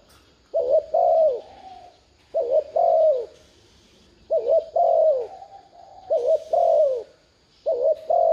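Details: Urging coos of a spotted dove played to excite decoy birds: four full low phrases and the start of a fifth, each a quick double note leading into a drawn-out descending coo, separated by pauses of about a second.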